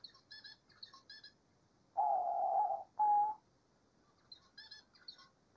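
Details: Diamond dove singing in nature: two drawn-out, even coo notes at a steady low-mid pitch, the second shorter, with faint high twittering chirps from small birds before and after.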